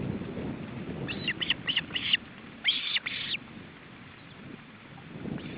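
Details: Osprey nest in July 2012, male with chicks during feeding: short clusters of harsh, high whistled notes in four quick groups, then two longer blurred bursts, then near quiet with low background noise.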